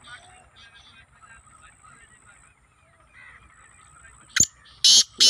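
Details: Captive black francolin that the owner says is calling happily gives three loud, harsh, grating bursts in quick succession near the end, after a few seconds of quiet talking and faint background sounds; Black francolin.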